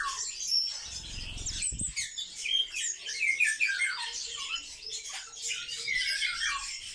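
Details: Kept sparrows twitter and chirp nonstop as a flock. A brief low thumping noise sounds early on, then the high, scratchy overlapping calls continue.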